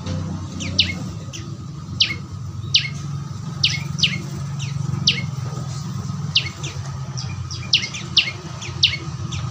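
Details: Young prinia (prenjak lumut) calling, used as a training recording to get a caged bird singing: short, sharp, descending chirps repeated irregularly, roughly one or two each second, over a steady low hum.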